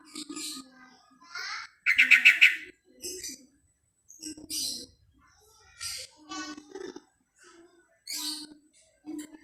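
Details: Yellow-vented bulbul calling to other bulbuls with its typical chirping. Short bright bubbly phrases, some rapid rattling trills, come about once a second with short pauses between them. Low humming notes sound underneath.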